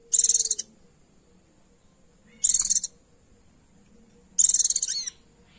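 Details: A female Oriental white-eye calling to a male gives three very high, rapid twittering bursts about two seconds apart, each a fast string of thin notes, over a faint steady hum.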